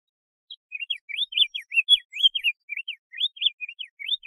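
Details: Rapid diademed tanager song made of short whistled up- and down-slurred notes, strung together for three and a half seconds with a brief gap near the end.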